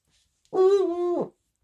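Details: A single hollow, nasal owl hoot under a second long, held steady then dropping, from an old pet owl, blind in both eyes, in a quiet apartment at night, answering croaking tree frogs; the owner calls it a Boreal owl, though it is identified as Eurasian eagle-owl.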